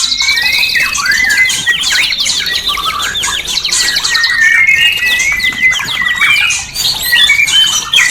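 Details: White-rumped shama song played to stimulate mating, a steady flow of high, rapid trills and sharp whistled phrases, dense and continuous with a short dip near the end.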